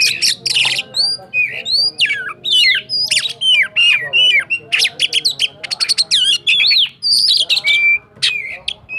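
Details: Sukabumi white-rumped shama (kacer cakrawala) in an energetic, loud song: dense bursts of harsh chattering, swooping whistles and rapid-fire rattles tumbling one after another with hardly a pause, in the rolling style.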